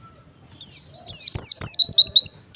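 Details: Short white-eye song for provoking rivals to answer: one falling whistle, then a quick cluster of high sliding chirps that turn to rising notes.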